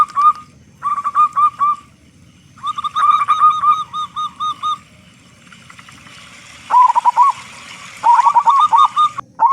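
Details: Local zebra dove with a loud voice, used to prompt other doves to start singing. Short groups of three to five soft coos alternate with pauses, and rolling trilled phrases come near the end.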